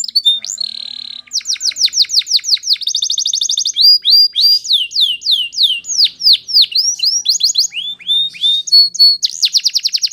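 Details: Training song of a Spanish Timbrado canary: nonstop chain of rapid trills, clear downslurred whistled notes and bell-like rolling series, switching tempo every second or two, bright and loud.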